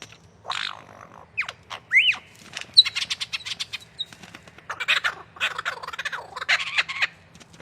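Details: Lyrebird, an Australian forest bird imitating other sounds, delivering a rapid mix of harsh squawks, clicking rattles and short rising whistles, bursts repeated irregularly over several seconds, faint low hum beneath.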